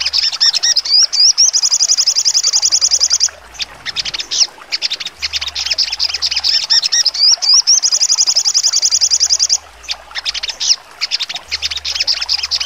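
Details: Crimson sunbird (sogon) in full trotol song with sharp notes: twice, a run of looping whistled slurs leads into a long, fast, level high trill, each followed by scattered scratchy chirps.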